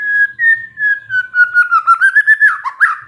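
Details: White-rumped shama, said to be a stressed bird that suddenly bursts into song on hearing a lure recording: a long steady whistle that drifts slightly lower, then quickens into rapid chopped notes and ends in rising flourishes.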